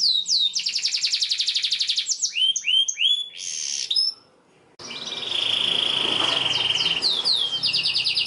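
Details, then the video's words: Canary singing as a model for young canaries: quick downslurred notes and a rapid trill, varied phrases, a brief silence, then a long rolling trill with a flat whistled line and closing swoops. "PANCINGAN Kenari GACOR PANJANG Cuit2 EMOSI ini AMPUH utk MASTERAN Kenari PAUD belajar BUNYI"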